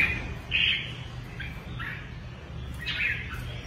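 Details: Kept red-whiskered bulbul singing short bright warbled phrases, a loud rising-falling note near the start, then softer scattered chirps and fluty notes, with a steady low hum underneath.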